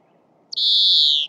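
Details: European greenfinch singing in Córdoba: a single long, nasal, buzzy wheeze that starts with a short high note, then holds steady and drops slightly in pitch over about three-quarters of a second against a quiet background.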